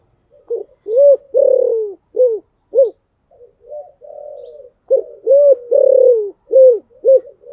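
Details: Spotted dove coo in the Thổ Sấm voice, used to push rival doves into cooing: deep, resonant notes in irregular groups, some short and clipped, others drawn out and rounded, with a softer muffled phrase midway.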